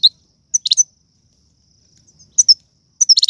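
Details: Algerian goldfinch singing tiwawti, galoubi and serfati phrases, meant as a tutor song for young birds: short bursts of high twittering notes separated by pauses, ending in a quick rattling cluster.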